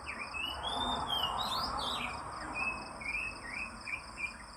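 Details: Oriental magpie-robin in the morning, a long rising whistle followed by a series of short slurred and buzzy notes, with a continuous high insect drone behind.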